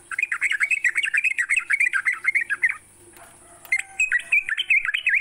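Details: Sooty-headed bulbul morning song for training songbirds: dense fast chatter of scratchy, warbling notes for nearly three seconds, a short quiet gap, then clearer rising whistled notes repeated quickly.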